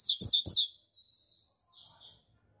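A seedeater sings a quick burst of high, sharp twittering notes with two soft knocks, then a thinner run of high whistles that fades out.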